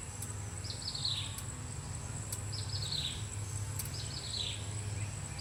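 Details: Common flameback (Dinopium javanense) woodpecker foraging for food gives three rapid, descending chattering trills about every one and a half seconds, over a steady high insect drone and low background hum.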